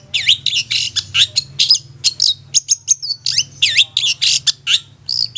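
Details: Long-tailed shrike, 'satu titik nagen tegak' style, suited to luring young or wild shrikes: dense, rasping squawks and chattering bursts follow one another rapidly without pause, while a low hum runs underneath.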